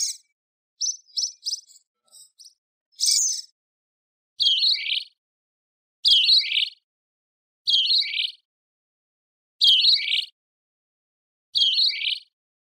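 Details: Great kiskadee: a few quick high chirps, then five loud, sharp, descending multi-note phrases about every one and a half to two seconds, against a completely silent background.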